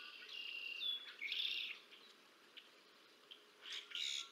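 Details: Bald eagle (Haliaeetus leucocephalus) feeding two young on the Decorah North nest on 30 March 2024; two bursts of high squeaky twittering open the recording, then a lull, then more thin chirps near the end.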